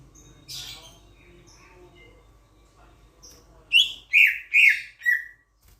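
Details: Sulawesi myna, a loud-voiced starling from Sulawesi. After a quiet start with soft, scattered chirps, it gives four loud, harsh, slurred notes in quick succession, each falling slightly, about half a second apart.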